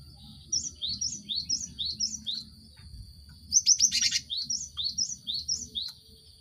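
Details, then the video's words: Cinereous tit singing to stimulate caged birds into song. Evenly spaced, downward-dropping whistled notes repeated about twice a second, broken by a sharp burst of harsh chatter, then more repeated whistles. A steady high hum continues throughout. "Pancingan gelatik batu untuk merangsang burung ombyokan cepat bunyi"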